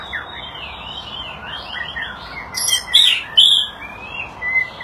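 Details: Rapid run of short slurred whistles from a white-rumped shama in display, followed by harsh high chattering notes and loud sweeping whistles, then a thin rising whistle at the end.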